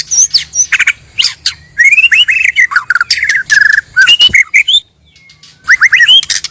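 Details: Natural song of male and female white-rumped shama for trapping lure: busy mix of harsh chattering bursts and whistled slurred phrases, a brief silence, then rising whistles resume.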